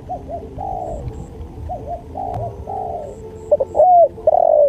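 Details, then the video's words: Spotted dove cooing for a training and luring track: several softer mellow coos first, then a louder stuttered lead-in and two strong drawn-out falling coos at the end, over low hum. "MASTERAN SUARA TEKUKUR"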